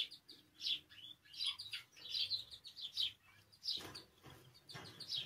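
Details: Canary song meant to stimulate canaries to sing: short bursts of high, bright warbled notes repeated roughly once per second, with a few softer knocks in the background.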